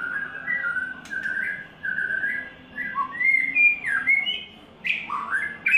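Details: White-rumped shama in third molt singing steady, pure whistled notes held level, then sliding phrases climbing higher, with short silences between the phrases.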